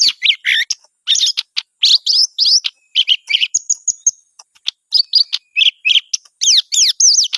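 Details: Greater green leafbird in full, fluent song: fast varied phrases of bright whistles, slurred downsweeps and chattery trills, pausing briefly then resuming with sharp repeated notes, clean with no other sounds.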